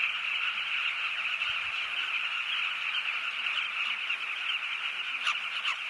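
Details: A southern carmine bee-eater colony on the Zambezi River in Namibia, the birds calling together in a steady, dense chorus of overlapping throaty, rolling notes with no break.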